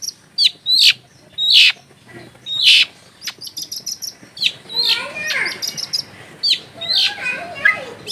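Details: Long-tailed shrike singing a clear, varied song full of borrowed phrases, meant to spur other shrikes to sing: sharp high notes and harsh downward slurs, then quick ticking runs and lower swooping whistles, with fairly uneven spacing.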